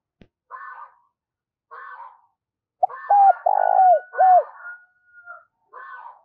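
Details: Spotted dove used as a lure, cooing quickly: one phrase of flat, throbbing and falling coos in the middle, surrounded by repeated softer, higher buzzy calls from another bird.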